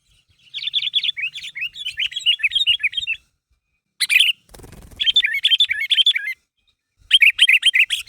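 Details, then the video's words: Sooty-headed bulbul, a vocally active bird calling to others to make them respond, used to lure bulbuls: bursts of rapid, bright chirping notes repeated in runs, broken by short pauses and a brief sharp burst. "Suara Burung Kutilang Gacor Memanggil Temannya Agar Bunyi"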